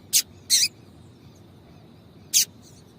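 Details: Calling female double-collared seedeater, meant to stimulate a male: three brief, very high, piercing notes, the second slightly longer and doubled, separated by quiet gaps.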